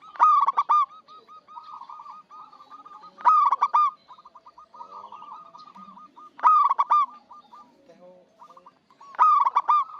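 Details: Local zebra dove with a big voice, played as a lure for bird trappers, repeats a loud stammering cooing phrase about every three seconds. Softer rapid cooing trills fill the gaps.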